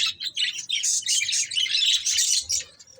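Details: A breeding pair of budgies giving a quick, dense run of high, squeaky chirps and warbling notes that fade at the end.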